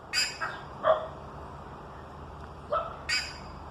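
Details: Buff-necked ibis, called curicaca, uttering several short harsh honking calls in quick bursts, with a pause before a final loud squawk, against low steady background noise.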